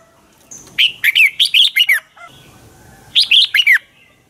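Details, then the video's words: Dueling song from a red-whiskered bulbul kept as a lure bird: a long run of six to seven loud, chirpy whistles, then a shorter three-note phrase, all dropping in pitch. "luyện chào mào hót sáng hót hay dùng thúc bổi, ép giọng rất hay, chào mào căng lửa, chào mào hót đấu"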